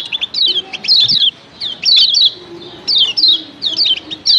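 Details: Combined calls of a female and male Lemon-bellied White-eye, meant to rouse other white-eyes: quick clusters of thin, descending high chirps, each burst a few notes long, separated by short pauses, over a soft low drone.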